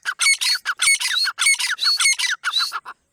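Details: Partridge hunting call: loud grating, squawky notes in tight repeated bursts with some whistled overtones, delivered at a fast pace.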